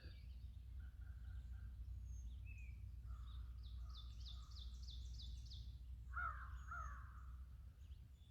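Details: American crows at Landis Arboretum on an early-morning bird walk: two harsh, hoarse caws from distant crows near the end, over a steady low rumble, with thin high trills and soft whistles of other birds earlier.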